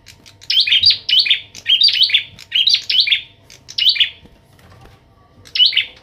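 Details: Young Bar-winged prinia being trained with a kept adult prinia; loud, harsh chirping phrases at high pitch, each a quick buzzy burst, repeated about every 0.7 seconds in a run of five, a pause, then one more.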